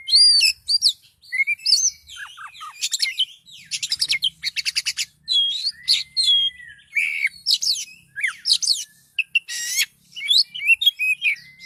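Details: Nearly continuous loud song of an agitated Oriental magpie-robin, with sweeping whistles, buzzy trills and rapid repeated clicks, and phrases tumbling one after another with hardly any pause.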